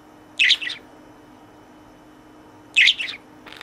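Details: Pet budgerigar in its cage calling to a toy companion: two loud, bright chirps, each with a softer trailing note, spaced about two seconds apart, with quiet between.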